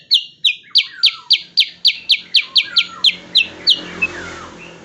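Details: Sooty-headed bulbul training song for songbirds: about a dozen crisp, high, metallic chips delivered quickly and evenly, each with a fainter falling tail, fading into a soft background hiss.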